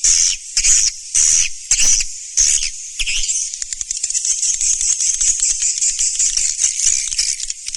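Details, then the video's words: Swiftlet calls from a newest master recording: short loud bursts of shrill chattering about twice a second, then a continuous, unbroken stream of high, rapid, dry twittering for the rest of the recording. "SUARA BURUNG WALET MASTER ALL TERBARU"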